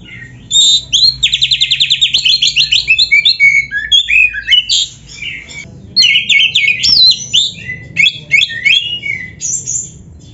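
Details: Oriental magpie-robin delivering a varied, nonstop 'full isian' song meant for caged-bird training: a fast, even-paced chattering trill of about a dozen notes, then mixed whistles, slurred sweeps and twittering phrases.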